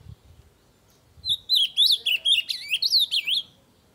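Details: Ultramarine grosbeak singing very loudly to stimulate other birds to sing: a fast, warbled phrase of sweeping, slurred high whistles, about a dozen notes tumbling up and down over two seconds, against a quiet background.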